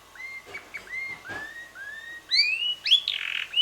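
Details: Young red male canary, about six months old, singing softly: several gently rising whistled slurs, then brighter upward-sweeping notes and a short buzzy burst.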